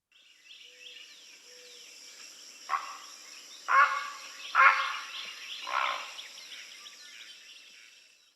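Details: Great Blue Heron, a shoreline bird common on local lakes, gives four loud, harsh, rasping croaks at irregular intervals, the call it makes when startled, with faint high bird calls in the background.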